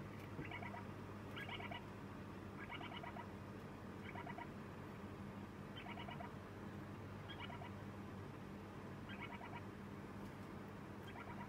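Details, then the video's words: Lineolated parakeet chick on its second day in a new home, calling while being fed with its 'pii-popo' chick cries: short buzzy chattering bursts, about eight in turn, roughly every one and a half seconds over a low steady hum. "サザナミインコひな お迎え2日目 ピーポポ 雛鳴き"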